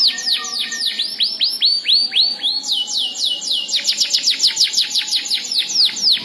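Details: A domestic Belgian canary sings a rapid string of sweet downslurred whistles, about three to four per second, then pauses briefly before speeding into a faster, brighter trill.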